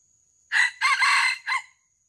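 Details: Wild junglefowl crowing during a traditional luring session to catch a live bird: a loud crow in three bursts, a short opening note, a long sustained middle phrase and a short final note, over a steady high insect drone.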